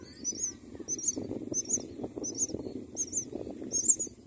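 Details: Myna nest with four young; high, bubbling squeaks repeat about every half second over a steady low rumbling rustle.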